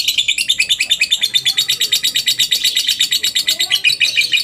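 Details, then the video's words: Shrill, continuous lovebird ngekek played as a lure so other lovebirds join in: a rapid string of buzzy chattering notes with no break, steady in pitch and loudness throughout. "pancingan burung Lovebird suaranya bikin lbmu ikut ngekek ,rajin bunyi pastinya ngekek panjang"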